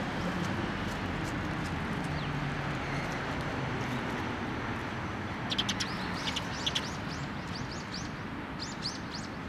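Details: Sparrows arriving to be fed at a post at a Tenmangu shrine on 1 December 2023: after a quiet start, a lively series of high, upslurred chirps repeated in quick succession, over low background traffic.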